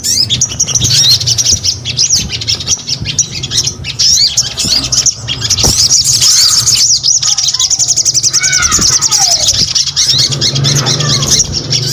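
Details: Crimson sunbird (sogon) singing actively: a dense, high, thin twittering run of rapid chirps and quick rising-falling notes, continuing almost without pause, over a steady low hum and background noise.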